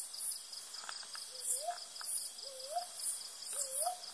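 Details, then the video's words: Three upward-sweeping hooting notes from a Brown boobook, evenly spaced about a second apart, with crickets and rhythmic buzzing insects filling the background. "Brown Boobook นกเค้าเหยี่ยว"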